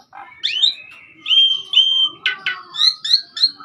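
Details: Asian pied starling singing persistently on a master recording: rising whistled slurs, a long flat clear whistle, then harsh bursts and a series of short high swooping notes roughly every quarter second.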